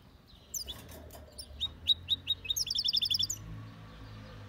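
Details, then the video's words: Mule of goldfinch and canary in clean, strong song: a short phrase of high, clipped chirps that speeds into a fast, even trill of bright notes before stopping. A low background hum runs throughout. "Mixto de Jilguero (canto limpio) mule of goldfinch x canary singing powerful"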